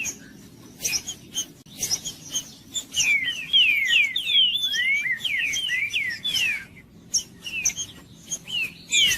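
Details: Green-winged saltator singing, used to warm up a quiet bird into song: after scattered sharp chips, a dense rapid string of whistled falling and rising slurs, then short whistled phrases with gaps.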